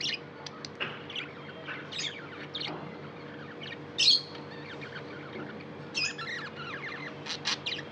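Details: Tamed pet budgerigars chirping, a busy stream of short high chirps, squeaky rising and falling notes and warbles, with one louder sharp chirp midway and a steady low hum underneath.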